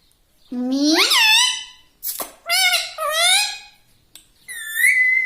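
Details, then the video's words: Talking pet parrot: a long nasal word-like call rising in pitch, followed by a click and two hoarse syllables, then a clear level whistle ending the phrase. "Talking parrot || mitthu mitthu || tota || Bolne wala tota"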